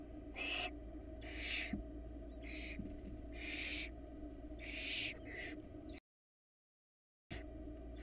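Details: Barn owl pair at a Florida nest box in 2022, the male arriving with a rat. Around six rough, breathy screeches of varying length sound against steady background hum.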